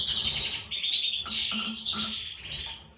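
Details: European goldfinch of a captive breeding pair, a mutation male with white throat and a classic female; dense high twittering with a sustained trilled stretch and a few lower chirps underneath.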